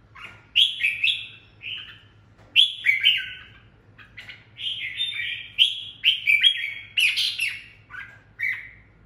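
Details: Caged decoy red-whiskered bulbul singing loudly to provoke rivals: short bright whistled phrases with slurred, warbling notes, repeated in bursts about every second, over a faint low hum.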